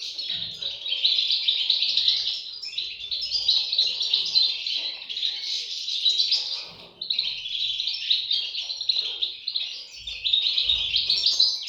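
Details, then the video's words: A long, dense chorus of high, squeaky chirping from European goldfinch chicks, briefly easing around the middle, with occasional soft low thumps. "صوت فراخ طائر الحسون"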